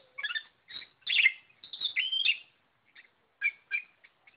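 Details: Vigorous gacor singing from an Oriental magpie-robin: bright mixed whistles and harsh chatters early, then softer short whistled notes spaced apart, in a quiet setting.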